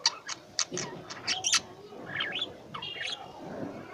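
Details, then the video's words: Pet lovebirds calling: a quick series of sharp, very high chirps, then softer, slurred twittering notes trailing off toward the end. "Love Bird | I love my Birds| Sweet Voice"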